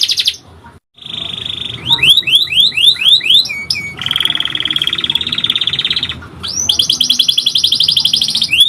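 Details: Canary singing a long master lure song: quick series of upward-sweeping whistled notes about five per second, then long buzzy rolled trills held for seconds, another bright rolling trill near the end.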